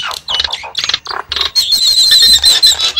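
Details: Javan myna lure call with several rough, grating squawks followed by a sustained shrill, buzzy screech held for over a second.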